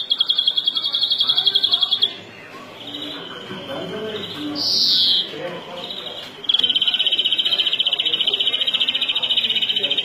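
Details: European greenfinch, called flurya in Turkish, delivering fast rolling high trills, broken by a few seconds of a softer drawn-out note amid a murmur of background voices before the rapid trill resumes.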